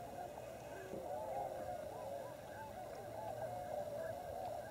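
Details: Tundra Swans wintering in large numbers at Klamath Basin refuge, Oregon/California border: a steady din of soft, bugling honks from many birds, overlapping without pause, short bent notes rising and falling.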